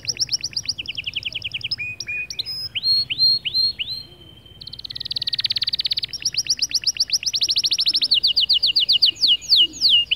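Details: Motivational singing by a white male canary to encourage other birds: varied phrases of quick chips, curved whistled slurs, a dense buzzy burst, then long rapid trills at shifting pitches, and rising notes near the end.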